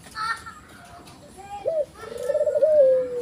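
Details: Collared dove, white ivory form with black collar, giving a brief upturned note followed by a long wavering low coo, after a few words of children's speech.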